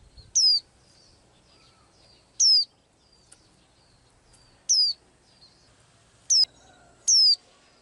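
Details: Blue-eyed small bird that sings each day: crisp, high, falling whistled notes repeated five times at uneven gaps, the last two coming close together, over faint low background hum.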